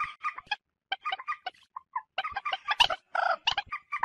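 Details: Moorhen calls played to lure birds for hunting, a mix of quick nasal clucks and a longer, hoarse note, in scattered groups with short silences.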